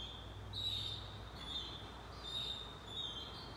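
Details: Begging Say's phoebe nestlings, fed by their mother shortly before leaving the nest, give a steady, piercing high squeal that swells in brief pulses about three times, over a low murmur of background noise.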